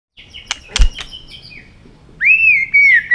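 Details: White-rumped shama in competitive singing with many voices: a few sharp clicks, then a loud whistled note that rises and wavers, followed by a second clear whistle.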